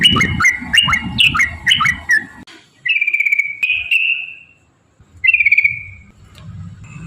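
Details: Yellow-vented bulbul song, a lure to get other bulbuls singing. Quick chopped whistled phrases, then two long buzzy trilled notes separated by silence.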